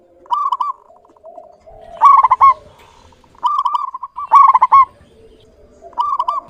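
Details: Clear-voiced local zebra dove repeating short bursts of quick, bubbling coo notes. Loud and softer phrases alternate about every second, and a faint low cooing murmur fills the pauses.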